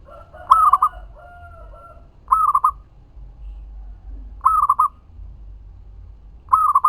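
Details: Zebra dove cooing as a lure to make other doves answer; four rolling coo phrases about two seconds apart, with a fainter second dove's drawn-out coos overlapping early on.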